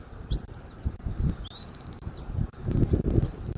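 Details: Eagle at a Southwest Florida nest on a January 2024 afternoon utters high, thin whistles, two of them long and gently rising and a third cut off at the end, over softer low wind rumble.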